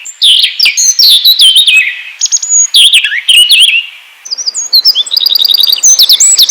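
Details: High, hurried twittering song of an Asian brown flycatcher, used to provoke other birds into singing: slurred descending warbles, then rapid trills of short thin repeated notes.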